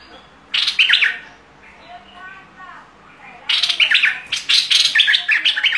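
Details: Fierce-style bulbul song: a short burst of fast, ringing chirps, then a quieter pause with soft notes, then a longer run of loud, rapid, warbled phrases.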